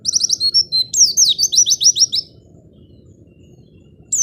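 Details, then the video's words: Singing white-eye, played to stir lazy white-eyes into song: fast high chirps then a run of descending slurred whistles, followed by quiet low hum before a last note starts. "Pancingan Pleci Males Bunyi Agar Cepat Gacor"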